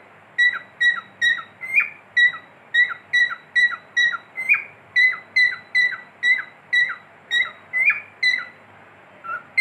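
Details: Steady run of clear cockatiel whistles from a pet bird, short tonal notes with falling tails delivered about twice a second, a few notes lifted higher and longer, over a faint indoor background.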